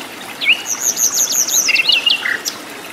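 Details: Sikatan londo flycatcher in the wild pours out a spirited phrase: a rising slur, then fast, very high stuttering notes running into a descending twittering tail, with soft natural background.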